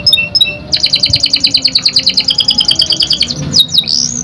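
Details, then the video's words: Lure song of a young canary breaking voice: a long, steady, fast trill of bright repeated notes, ending in quick upward-swept whistles. "PANCINGAN KENARI PAUD PECAH SUARA | CANARY SINGING"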